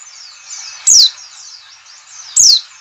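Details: A white-eye (pleci) gives a lure call: two loud, thin, high notes that sweep downward, about one and a half seconds apart, over a soft chatter of similar high twitters.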